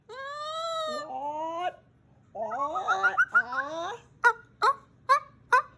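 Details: Moluccan cockatoo, a male pet vocalising before bed in June 2020 while being played with: long nasal wails and wavering calls, then five short sharp squawks about every half second.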